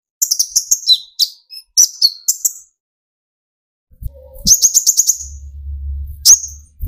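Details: Sunbird (kolibri ninja) singing energetically, used to provoke other sunbirds, from speckled young to full metallic adults, into singing: rapid high chirps and descending twitters in quick bursts, a pause, then a fast stuttering trill, with faint low hum.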